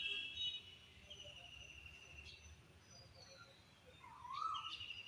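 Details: An Asian koel calls on a spring late afternoon, giving a single clear, rising whistled note near the end, over thin high-pitched chirps from other small birds and a quiet outdoor hum.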